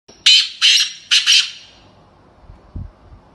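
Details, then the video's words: Black francolin (black partridge), described as a female sound: four loud, harsh, grating notes in quick succession over about a second, then silence apart from a faint low thump. "Black Farcolin voice sound کالے تتر کی آواز"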